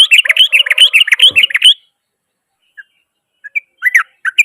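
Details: Yellow-vented bulbul in loud, rough rapid song said to provoke other bulbuls: a dense burst of quick chattering bubbly notes for almost two seconds, then silence broken by a few scattered short notes.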